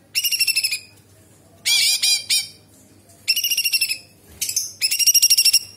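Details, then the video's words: A bulbul (cucak cungkok) singing loud, high bursts of rapid, ringing, chattering notes with imitations of small birds, big birds and insects, each about a second long and coming roughly every one and a half seconds, used as a tutor recording. "Cucak Cungkok istimewa gacor isian Kapas tembak + tembakan istimewa Nyerecet Beset Tajam Pedas"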